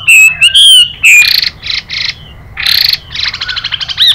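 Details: Chinese hwamei song with a female's hissing calls: a few clear rising and falling whistles, then harsh, buzzy, rasping bursts repeated at irregular intervals.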